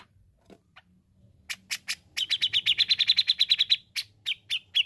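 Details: Grey-cheeked bulbul singing steadily for therapy of untrained birds: a few spaced harsh notes lead into a fast, even run of about fifteen buzzy notes, ending in slower rasping calls.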